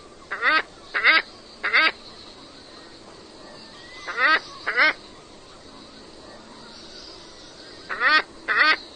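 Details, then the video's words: Scarlet ibis producing short, nasal quacking honks, mostly in pairs or threes separated by several seconds of quiet, each note slightly rising and harmonic-rich. "Sounds of scarlet ibis"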